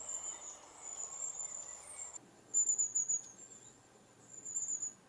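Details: Long-tailed tit giving its high-pitched 'tsee-tsee-tsee' contact call, which keeps a flock in touch as the birds move between trees: two thin, very high rapid trills of several notes each, after a steady high hiss at the start.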